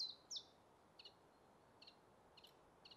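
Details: Common chiffchaff (Phylloscopus collybita) song in spring broadleaf woodland: two loud, high chipping notes, then softer paired notes repeated roughly every half second over faint background hiss.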